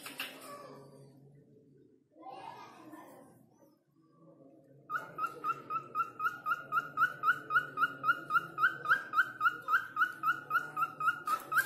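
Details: Cockatiel, called falk, whistling as though calling someone's name; rustling and indistinct noise first, then a fast, regular stream of short rising whistles, about four each second.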